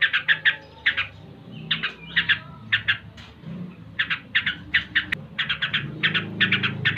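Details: Ngebren-style song of a yellow-vented bulbul: sharp, clipped chirps in small groups, more spaced out than a steady roll, over a noticeable low rumbling background hum and one brief click.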